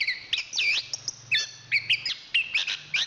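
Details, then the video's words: Chestnut-capped thrush (anis kembang), Zoothera interpres, a national champion songster, singing a rapid varied run of high whistled notes, slurred rising and falling phrases and short chirps, with a faint low hum underneath. "Suara Kicauan Burung Anis Kembang Juara Nasional"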